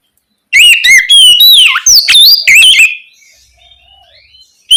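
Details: An Oriental magpie-robin's ngeplong-style song at night, a lure for young spotted magpie-robins; a two-and-a-half-second run of loud twisting whistles and slurred notes, then near silence and the start of a new phrase.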